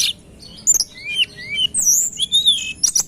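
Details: Tledekan gunung song recorded for use as a bird lure: quick high whistled notes, some rising and some falling, bursting in short clusters with brief gaps and sharp high chips near the end.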